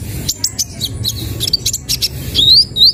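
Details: Kolibri ninja sunbird song: very high, thin chips and twitters scattered quickly, ending in rising whistled slurs, over a faint low background hum.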